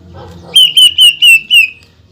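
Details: Greater green leafbird firing a tight burst of five loud, identical, sharp high notes at a steady, quick pace, its singing used to provoke other leafbirds.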